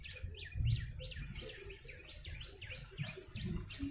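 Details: Yellow-bellied prinia lure sound, somewhat faint: a string of sharp falling-rising chirps at an even pace, partly masked by hiss and low rumbling.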